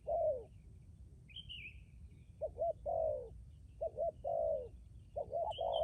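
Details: Spotted dove used as decoy, low cooing in phrases of quick paired notes plus longer falling coos, with a faint high twitter from another bird.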